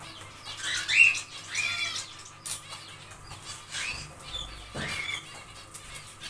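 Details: Captive zebra finches at work on their nest in an aviary, with a pair of brief nasal calls early on, then rustling, wing flaps and a fainter later note.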